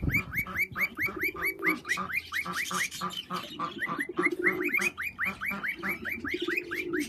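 Cockatiels chatter loudly with rapid, rising whistled chirps repeated over and over.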